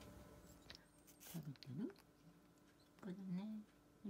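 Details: A rescued Moluccan cockatoo (Cacatua moluccensis), recently adopted and only just settling in, speaks its name in two short, voice-like phrases with gliding pitch about a second apart in a quiet indoor room.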